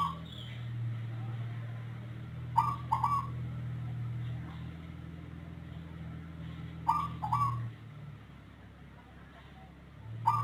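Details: Zebra dove with a strange voice unlike local or Bangkok birds, calling often and long, mostly before dawn: brief paired rolling coo bursts every four to five seconds, three phrases in all, under a loud low engine-like drone.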